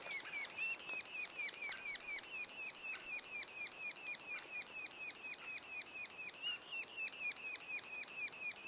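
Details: Nest of sapsuckers two days ahead of first fledging, the chicks churring in a fast, even series of harsh downslurred notes, roughly two each second, overlapping throughout.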